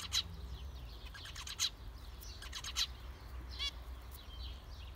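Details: Zebra finch group calling: loud, nasal, buzzy beeps in bursts roughly every second and a half, with fainter chatter between them over a low hum.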